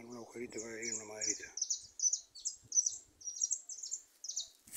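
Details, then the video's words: Goldfinches singing loose in a small thicket: a quick run of high, bright chirps and twitters, a few notes each second, with a man's voice briefly at the start. "jilgueros cantando"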